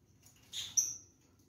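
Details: Rose-ringed parakeet, one of a pair being fed apple and orange with seeds taken out: a single brief raspy squawk ending in a thin, high whistled note, in a quiet indoor setting.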